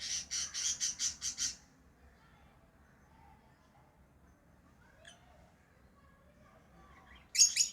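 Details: Lovebirds chirping: a quick run of about seven harsh, high chirps in the first second and a half, a long near-silent stretch with faint soft sounds, then a sudden loud squawk at the end.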